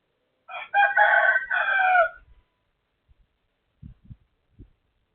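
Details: Crowing of a neighbour's rooster, recorded 23/01/2568 at 12:12 midday: one loud, full cock-a-doodle-doo of about one and a half seconds, hoarse and stepped, then a few soft knocks.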